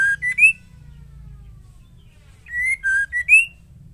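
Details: Female white-rumped shama singing, used to provoke males into song: short phrases of three or four clear whistled notes, some flat and one rising, separated by about two seconds of quiet.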